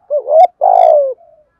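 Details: Spotted dove in thúc gù calling, used to provoke wild birds. A rising, wavering coo leads into a long, rough, sustained coo that drops in pitch at the close, followed by faint soft trailing notes.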